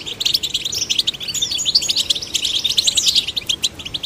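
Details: Young goldfinches, male and female chicks encouraged to sing, give a fast, jumbled twittering song of bright high notes and short sliding whistles, chattering on without pause throughout.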